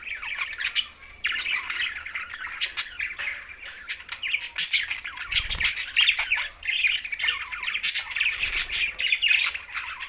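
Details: Flock of green budgerigars kept as pets squawking and chirping continuously, harsh grating notes mixed with quick warbles, with a soft low thump near the middle.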